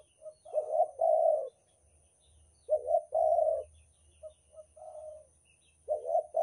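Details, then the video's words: Banten spotted dove repeating its luring coo: low stuttered notes joined to drawn-out mellow phrases about every two and a half seconds, with scattered soft short coos between and a faint low rumble. "suara pikat derkuku banten super ampuh untuk pancingan"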